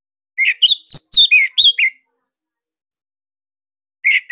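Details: Kept Bali orange-headed thrush sings a quick 'sirtu' phrase of about seven clear slurred whistles dipping and rising, lasting under two seconds, followed by silence and the start of another burst.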